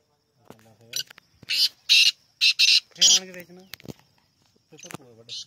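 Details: Harsh, buzzy black francolin notes repeat in quick rhythmic bursts, mixed with human voices talking, and a final call at the end.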